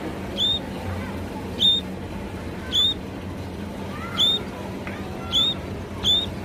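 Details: Sparrow giving a run of six bright, clipped chirps about a second apart, each a quick high note, with a few softer lower calls and constant low-pitched background noise.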